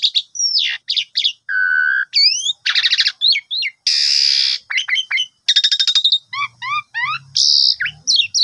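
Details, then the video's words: Asian pied starling song used as a morning lure for a pouting bird: chattering notes, a steady layered tone, rising slurs, a loud broadband rasp, a run of repeated short upslurs and a final harsh burst. "Pancingan Pagi !! Jalak Suren Lagi Pundung Agar Cepat Gacor Langsung Bongkar Isian"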